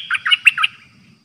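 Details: Streak-eared bulbul decoy bird, caged, singing 'dok' song on 6 May 2022: four quick liquid warbled notes in a short phrase, then quiet.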